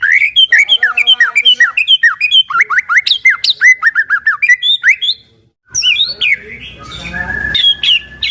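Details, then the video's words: White-rumped shama in full gacor song, meant to spur other shamas to answer, with a rapid stream of sweeping whistled notes followed after a pause by mixed chatter over background noise. "murai batu gacor sangat cocok buat pancingan murai batu agar bunyi ikut NYAUT"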